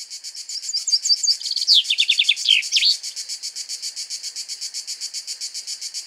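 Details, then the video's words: Male common chaffinch singing from a pine in Greek nature while another male eats seeds nearby: one bright, falling cascade of quick notes ending in a flourish, over a steady pulsing insect-like buzz. "Σπίνος Κελάηδημα και Φαγητό - Common chaffinch food and singing"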